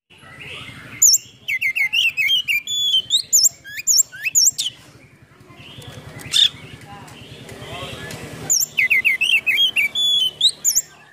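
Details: White-rumped shama song used as a lure track, in bursts of varied whistles, sharp upslurred notes and mimicked trills, pausing midway with soft background hum before resuming.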